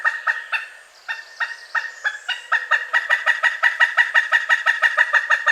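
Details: Pileated woodpecker starting with a few spaced kuk notes, then speeding into a rapid, even chatter of about three notes per second, the cackling call used to communicate with a mate or defend territory.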